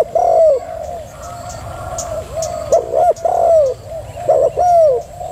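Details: Female spotted dove gives a long falling coo, soft low murmurs, then several short doubled notes each followed by descending coos; faint hiss throughout.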